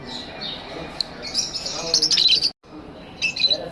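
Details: Lovebirds kept as pets in an aviary give shrill, squeaky chirps that cluster into a scratchy burst, briefly cut out, then return with a few more high notes.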